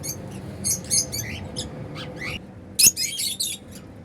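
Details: Happy African lovebirds flying freely; rapid shrill chirps with some rising squeaky notes, then a sharp loud click and a dense flurry of twittering.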